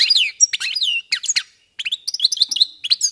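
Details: European goldfinches warming up into song: lively, tinkling chirps and twitters with sharp downward-sliding notes, a brief pause, then a bright buzzy trill and further rapid tweets.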